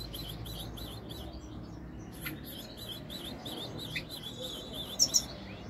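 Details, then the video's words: European goldfinch song from 2021: a steady string of thin, high chirps repeated in quick succession, with a few louder sharp notes near the end, over a low background hiss. "تغريد طائر الحسون الملكي 2021 / jilguero chant chardonneret"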